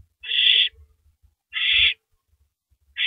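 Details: Owl eating a large rabbit at 3:33 AM on April 9, 2012; two harsh, hissy screeching bursts about a second and a half apart, a third just starting, with soft low thumps of movement underneath.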